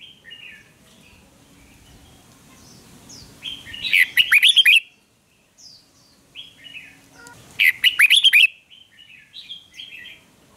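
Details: Red-whiskered bulbul; dueling song; competitive singing against a rival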